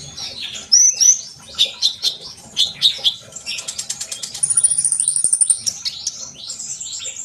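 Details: Energetic sunbird song meant to coax young birds into song: varied high twittering phrases give way to a fast, even trill of thin repeated notes, then further high chirps.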